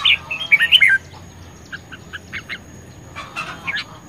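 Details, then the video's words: Red-whiskered bulbul in duel song, fired up, May 2020, opens with a loud rolling warble of quick rising and falling whistled notes for one second, followed by soft evenly spaced chirps. "Chim chào mào hót | chào mào | chào mào hót đấu | chào mào căng lửa | chào mào sung sức"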